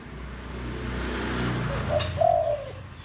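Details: Deep-voiced spotted dove used to stir wild doves: a low rumble and a sharp click, then a brief note and a longer mellow coo.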